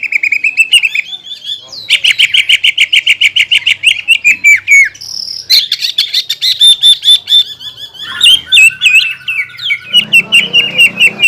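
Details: Caged greater green leafbird in full varied song, with fast trains of repeated sharp notes, short buzzy bursts and bright whistled phrases, shifting pitch between sections; faint low background hum.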